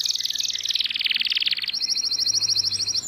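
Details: Canary in long, steady song for training young canaries: a loud, rapid rolling trill that shifts to a higher, thinner trill midway, with a faint low hum beneath.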